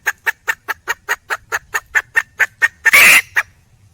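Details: Female junglefowl calling for a male, a quick even string of short knocking clucks about five per second, ending with one loud, harsh squawk and a last cluck.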